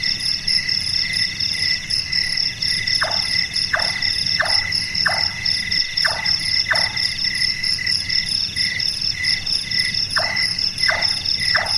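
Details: Large-tailed nightjar, active at night, its call compared to someone doing carpentry: a run of abrupt, hollow chonk notes sliding downward, about six in quick succession, a pause, then three more, all against a loud, steady cricket-like insect drone.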